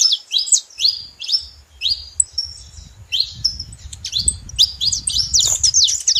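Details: Saffron finch giving repeated high, slurred chirps in small groups, growing denser toward the end, with a low rumbling noise in the background.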